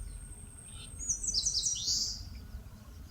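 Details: Eastern crowned warbler, Palbongsan foothill forest in Seosan, Korea, delivering one high, hurried phrase of sharp notes blurring into a buzzy, downward-sliding finish, while a thin steady high-pitched whine, probably an insect, runs throughout.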